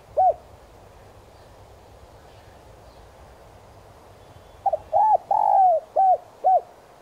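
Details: Spotted dove kept as a decoy, cooing in the standard 'son' style to attract wild doves. A single early coo, a long pause, then one full phrase of low, rounded coos with a drawn-out falling note.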